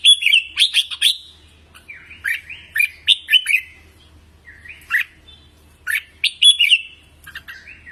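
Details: Red-whiskered bulbul singing in voice-training material: lively, clear whistled phrases of quick rising and falling notes, repeated in clusters about every second with brief gaps and faint low hum.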